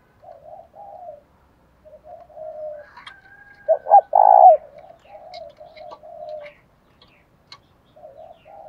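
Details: Spotted dove decoy calling to tempt wild doves; mostly soft, low murmured cooing throughout, with one loud rolling coo near the middle and a few faint clicks.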